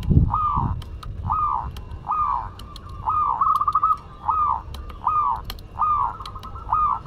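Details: Zebra dove of the local Madura type in full voice, giving a steady series of soft, bubbling coo phrases roughly every 0.8 seconds, some ending in quick rattled notes, over low background rumble.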